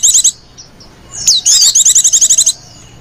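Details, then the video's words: Female white-eye lure call: a brief high trill, a short gap, then one sharp downslurred whistle running into a fast, even trill of about a dozen notes. "Burung pleci betina lenjeh manja pemikat burung pleci"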